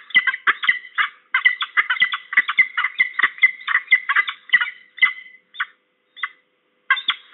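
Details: Peregrine falcon recorded at Trzebież forest district, Poland, 21 November 2022, during a brief visit: a rapid, rasping run of harsh cackling notes that slows into spaced single calls with short silences near the end.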